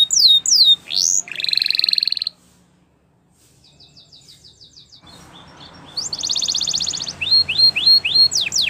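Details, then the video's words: A Belgian canary sings for young canaries to learn: falling swoops and a buzzy pulsed roll, a near-silent pause, then a faint trill returning to a loud buzzy roll and clear rising whistles. "Canary Teacher For Your Preschool Canary!! Belgian Canary Singing"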